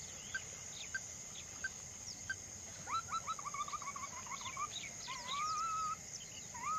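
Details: Ruddy-breasted crake calling: a stepped, slightly descending run of short clipped notes, then a rising slurred whistle. Other birds chirp around it, and a steady high insect whine runs throughout.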